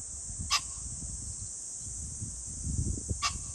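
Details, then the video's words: A pheasant heard 21 July 2024 gives two short, gravelly calls about three seconds apart, with background high hiss and soft low rumbling. "pheasant call ,キジ ,꿩"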